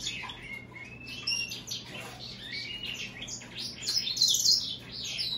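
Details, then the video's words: American goldfinch and European greenfinch hybrid singing a flowing high warble of chirps, thin whistles and a loud buzzy trill near the end, over a soft electrical hum. "هجين الحسون الامريكي مع الخضري"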